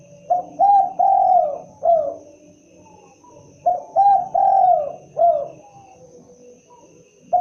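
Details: Spotted dove, locally derkuku or tekukur, calling twice in its characteristic pattern: short and doubled coos leading into a long mellow coo and a closing coo, phrases about three seconds apart with quiet gaps.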